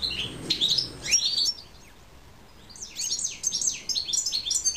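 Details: Hooded siskin song in two bursts of high twittering, buzzy trills and sweeping notes, separated by a brief silent gap of about one and a half seconds.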